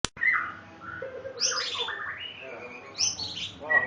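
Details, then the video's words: A white-rumped shama sings a rich, fast medley of clear whistles and tumbling warbled phrases, jumping between high and middle notes, over a faint low hum. "burung murai gacor"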